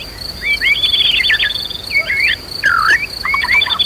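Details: White-rumped shama in emotional fighting song used to trigger rivals. A rapid stream of high, twisting whistles and a sharp swooping phrase rise over a continuous shrill insect tone.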